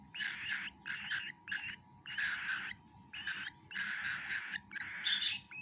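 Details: Baby cockatiel eating food, giving harsh, raspy bursts in rapid runs, each lasting under a second with short gaps, repeated about seven times in a steady rhythm.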